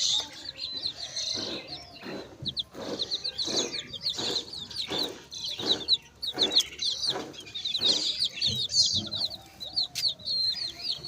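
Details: Chicken chicks chirping: many high, thin, rapid peeping notes overlapping continuously, with lower clucking or rustling sounds recurring about every half second beneath.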